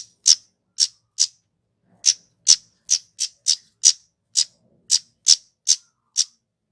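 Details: Kemade bird calling, used by bird keepers to get male and female cit keres singing quickly: crisp, very high, dry chip notes in an irregular series, some grouped in quick pairs, with near-silent gaps between.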